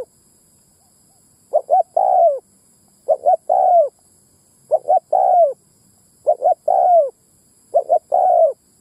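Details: Decoy cooing of a spotted dove used to pull in males and females; five evenly spaced phrases, each a double short coo leading into a long, downward-sliding coo, against a silent background.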